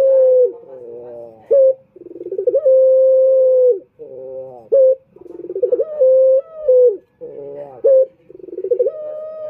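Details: Lure coo of a male turtle dove (puter), Indonesia: rapid pulsed stutters building into sustained, level low hoots, cycling about every two seconds without pause.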